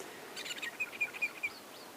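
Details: Blacksmith Lapwing flying over on an evening safari drive, 13 April: about six sharp, high, metallic 'tink' notes like metal striking metal, 'dink dink dink', roughly five a second, over faint background hiss.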